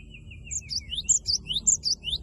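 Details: Gelatik batu, the cinereous tit, in loud gacor song used to make a rival sing along: a short low trill opens, then bright high two-note 'wucit wucit' phrases repeat steadily.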